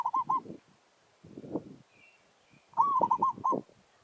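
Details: Zebra dove from a village, singing a territorial challenge during decoy luring of wild birds: a short trilled coo phrase, a pause with rustling thumps, then a longer rolling phrase of staccato coos.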